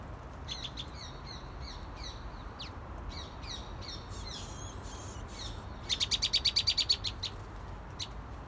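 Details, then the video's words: Juvenile common tailorbird calling: high chirpy notes repeated several times a second, then a fast burst of sharp, evenly spaced chips near the middle, over a low rumble of background noise. "Juvenile Common Tailorbird"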